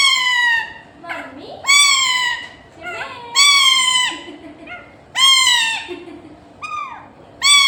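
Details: Pet talking parrot in an indoor room, trying to say "Mummy". Four loud, harsh, harmonic-rich utterances with falling tones come about every one and a half seconds. Shorter, rougher notes sit between them.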